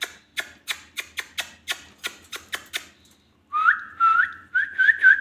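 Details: Ringneck parrot producing a rapid series of about ten dry clicks, then a sustained warbling whistle with small upward flicks, in a quiet room.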